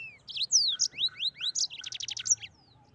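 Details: Mozambique canary delivering a varied, twittering phrase of rising and falling whistled slurs that runs into a quick, stuttering trill of high notes.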